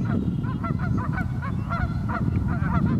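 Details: On the Pend Oreille River in North Idaho on a very cold morning, geese give short, clipped nasal honks in quick succession, many voices overlapping, over a deep background rumble.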